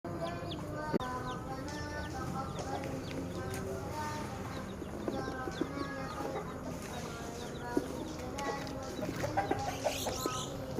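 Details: Chicks, many calling together; dense overlapping peeps and short harmonic clucking notes continue throughout, with brief high chirps and a steady low background hum.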